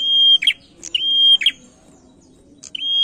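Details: Lure song of a male prinia. Long level high whistles are broken by bursts of sharp buzzy chips, two phrases within a few seconds, with a quiet low hum underneath.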